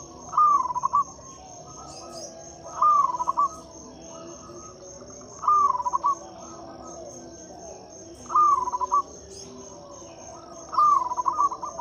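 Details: A local zebra dove, whose voice serves to prompt silent doves to sing, gives five short rolling coo phrases at roughly two-and-a-half-second intervals, with a steady high whine throughout.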